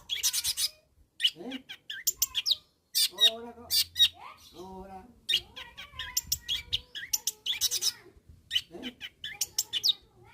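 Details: Long-tailed shrike calling to rivals: bursts of scratchy rasping notes alternating with lower, slurred warbling phrases, continuous and varied, with short gaps between sections.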